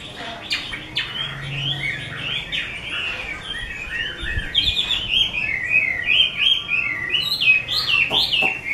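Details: Chinese hwamei ('mơ' type) in captivity, owned by an artisan, pouring out a long varied song of quick whistled notes and slurred phrases that climb and dip, dense and continuous over nearly nine seconds.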